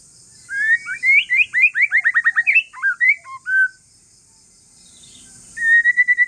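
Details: White-rumped shama of Aceh forest descent in relaxed song aimed at getting other shamas to answer: a fast run of evenly spaced slurred whistles, a few lower notes, silence, then a steady high trill.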